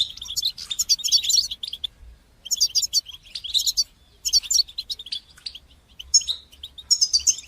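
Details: Song of a European goldfinch in batbata and sastasa style, played to motivate goldfinches to sing: long rushing twittered phrases of high chirps and trills, broken by brief silences.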